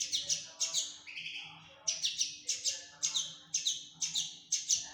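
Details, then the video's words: Fledgling common linnet repeating high, slightly buzzy chirps in pairs about every half second, with one lower drawn-out note early on, over a faint hum. "فرخ حسون تفاحي Linotte melodieuse"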